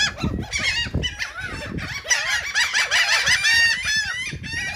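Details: A crowd of gulls feeding on cake in Atlantic City, New Jersey, gives a dense overlapping chorus of harsh, arched, nasal calls, many at once and rapidly repeated, with low thumps and rustling beneath.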